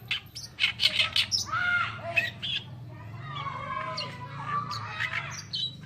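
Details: Oriental reed warbler (kerakbasi alis putih) singing for a masteran recording: quick scratchy chirps, then a varied run of squeaky slurred and whistled notes, irregular in rhythm, with a faint low background hum.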